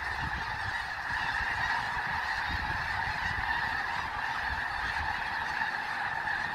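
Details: Large flock of snow geese on Fir Island near Mount Vernon, Washington, settling for the night; a dense, continuous chorus of overlapping honking calls with no breaks, bald eagles on the ground nearby.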